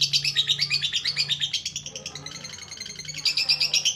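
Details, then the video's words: Lovebird in continuous ngekek song, a rapid chattering trill of sharp, high, buzzy notes pulsing roughly three per second and rising toward the end, over a constant low electrical-sounding hum. "MASTERAN NGETIK LANJUT NGEKEK // PANCINGAN LOVEBIRD YG MALAS BUNYI DAN LABET JADI RAJIN DAN GACOR"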